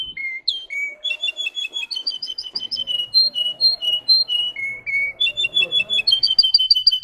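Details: Russian song canary: varied tours of high, rapidly repeated whistled notes that step between pitches, some slurred downward, with quick bubbly trills; steady, continuous delivery throughout.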